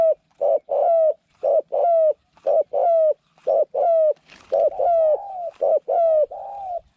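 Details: Spotted dove kept as a new decoy bird for luring wild doves into a trap enclosure, noted for its small voice and frequent cooing; clear mid-pitched coos, a short note followed by a longer level one, repeated about once a second.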